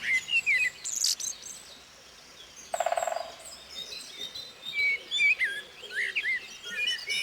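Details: Common blackbird that wakes people early in the morning, singing clear fluted whistles and warbled phrases, with a sudden rapid woodpecker drumming burst on a tree trunk near the middle.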